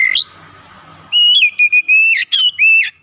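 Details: Oriental magpie-robin in vigorous song to rouse other magpie-robins: after a soft start, a loud series of steady whistles broken by sharp rising squeaks.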